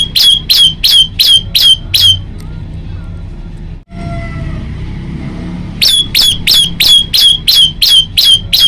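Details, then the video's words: Male bar-winged prinia singing energetically at night, recorded on a Samsung J2 Prime phone: loud, sharp, ringing notes repeated about three per second in two runs, split by a short pause with faint low background rumble. "kicau prenjak lumut gacor"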